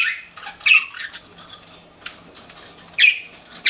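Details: Pet budgerigars indoors making soft chatter broken by a few loud, harsh chirps, spaced irregularly, the final one sharp and sudden.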